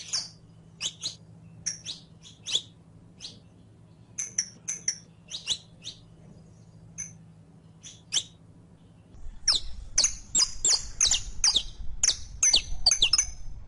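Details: Captive Saffron finch song played to teach another caged bird to sing: sharp high chirps and short trilled notes, scattered at first, then a denser, louder run of rapid notes in the last few seconds over a low steady hum.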